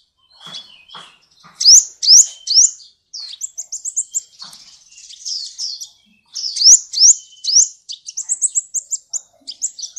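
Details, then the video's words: Sunbird known as Kolibri Ninja, singing for tutoring magpie-robins and shamas: faint low chips, then loud very high upslurred whistles in bursts, mixed with twittering runs of thin notes. "Kolibri masteran full isian cocok untuk masteran murai batu Dan kacer"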